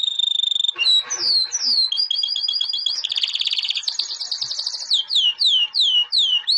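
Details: White canary, albino, champion of 2017, delivering varied song: a held whistle, repeated paired notes, a dense buzzing roll, then a string of loud descending swept notes about every half second.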